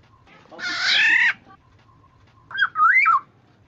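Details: A Black-naped Oriole used as a decoy to draw other orioles into calling gives a harsh, nasal, cat-like squawk, then after a pause a short, liquid, fluty whistle that rises and falls.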